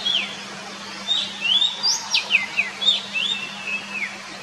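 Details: Wild Oriental magpie-robin singing in its natural habitat: clear, sliding whistles, some rising and some falling, in short phrases with brief gaps, against a faint steady low hum.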